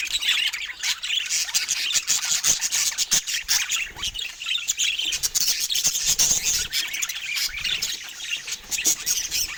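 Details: A flock of budgerigars chattering continuously, busy overlapping squawks and rapid high chirps with short sharp clicks, the sound staying dense and steady from start to finish.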